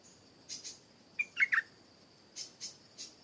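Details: Garden-recorded stripe-throated bulbul delivering a quick burst of three rich, bubbling notes, surrounded by several soft, higher chirps before and after.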